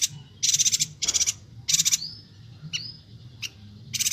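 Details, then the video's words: Kalimantan's Bornean yuhina, called Perenjak Batu, in vigorous voice for songbird training: several quick high buzzy chatter bursts, followed by thin upslurred whistles and sharp ticks before another chatter starts. "Suara burung Perenjak Batu/Yuhina Kalimantan Gacor"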